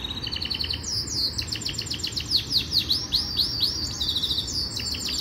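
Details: Yorkshire canary in full training song: quick stuttered high notes, then a long cascade of swooping chirps repeated rhythmically, ending with a brief rolled trill; constant faint hum underneath.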